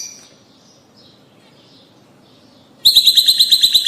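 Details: Rosy-faced and Fischer's lovebirds, sound meant to stimulate breeding: faint high twittering over near quiet for almost three seconds, then a sudden loud burst of sharp, high chirps, about ten per second, filling the last second.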